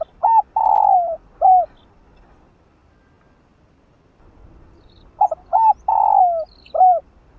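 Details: Spotted dove coo phrase repeated twice after a silent gap, each a quick pair of short hoots, a long rolling downslurred coo and a closing note. It is used to encourage a slow-cooing caged dove.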